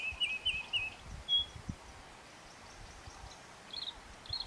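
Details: Scrub robin in Kruger National Park giving a few high, thin whistled phrases, then a clear piping note and fainter high notes later, over soft rustling and low rumble.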